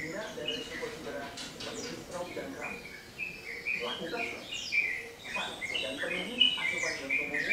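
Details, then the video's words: A yellow-vented bulbul sings actively, giving short, bubbly chirping phrases in irregular bursts, with other faint chirps and low background noise. "Burung trucukan/ trotokan gacor"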